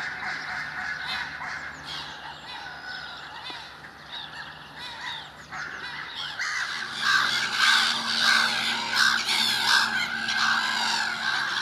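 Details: Gulls in early spring. Soft distant cries at first over a low hum, then from seven seconds a loud burst of many overlapping harsh, arching calls.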